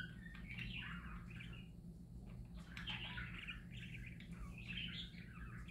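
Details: Several happy parakeets warble continuously, a dense chatter of rapid twittering notes and scratchy trills that rises and falls, with a constant low hum underneath.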